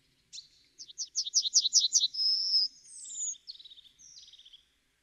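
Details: Yellowhammer (Emberiza citrinella) song: a quick run of eight or so chirpy, buzzy notes climbing into a long held final note, followed by thin high whistles and a soft dry trill.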